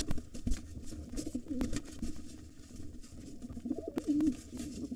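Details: Low pigeon coos and scuffling during a fight at a nest, where a white father pigeon drives off a gray intruder trying to take over; short coos near one and a half and four seconds over heavy low rumble.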